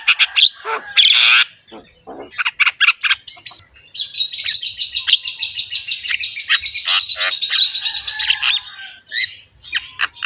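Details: Javan myna singing a rough-voiced song, a loud harsh squawk then a long continuous stream of rasping, chattering notes over several seconds.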